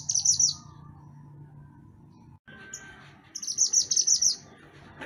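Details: Mantenan gunung, or pied bushchat, in lively song for training caged songbirds: high, shrill, buzzy chattering bursts open and close the passage. A gap with faint low hum separates them.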